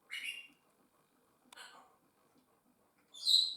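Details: Pet African grey parrots in a home, three short harsh calls about a second and a half apart, the last higher and more tonal, with faint low rustling between.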